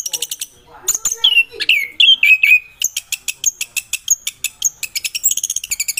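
An orange-headed thrush gives a few sweet, slurred whistled phrases, then a fast run of high, dry ticking notes repeated several times a second.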